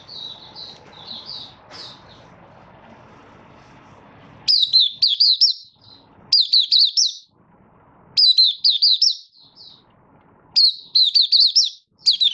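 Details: Caged Oriental white-eye of Malaysian stock, Kitaro line, building form during a minor moult, 24 August 2023; a few soft twitters give way to four loud bursts of rapid, high, bright chirps spaced about two seconds apart.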